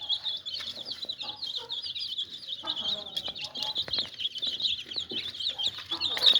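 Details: Chicks peeping in a dense, continuous chorus of high, thin cheeps that overlap without pause, with scattered soft clicks and knocks underneath.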